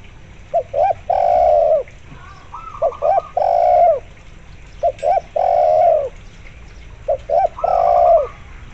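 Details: Spotted dove in steady voice, backed by a local zebra dove. Three full phrases, each with two short coos and a long falling coo. Zebra dove staccato trills sound higher between the phrases.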